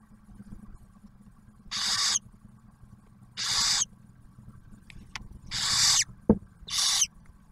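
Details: Barn owl nest in Ottawa National Wildlife Refuge, Ohio, with the male delivering food to the female and the first owlet. Four separate breathy, hissing screeches about half a second long, spaced irregularly, with a faint hum and a sharp click.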